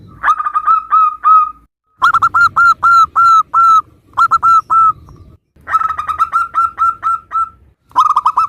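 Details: Local zebra dove singing to coax other doves into answering: several phrases of ringing, rapid coos, some tumbling quickly, others evenly spaced, separated by clean cuts of silence.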